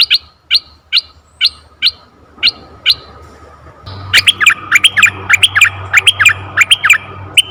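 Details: Red-eyed bulbul calls, a forest bird recording played to lure bulbuls: sharp chirps spaced about every half second, then a denser, faster run of bright, bubbly notes with a steady low hum underneath.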